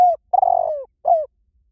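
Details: Part of a spotted dove lure call used to attract wild doves: a falling coo, a long burry coo descending in pitch, then a shorter down-slurred coo. No other sounds.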